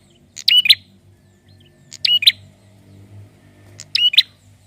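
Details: Three crisp, high-pitched double bursts of clicking chirps from a male prinia, spaced roughly 1.7 seconds apart over a quiet background; the singing is used to prompt other birds to sound off.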